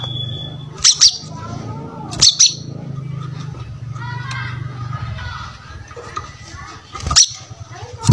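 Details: Brown-throated sunbird song serving as a lure to make other birds sing: a few high, sharp chirp clusters spaced several seconds apart over a steady low hum, with a soft warbling murmur in between.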